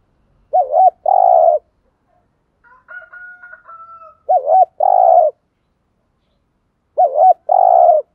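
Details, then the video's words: Spotted dove acting as a lure to stir wild birds into calling. Three coo phrases roughly three seconds apart, each a wavy two-part note then a long throaty coo. A thin high whistle sounds between the first two. "chim cu gáy mồi thúc rút bổi gáy theo rất cao"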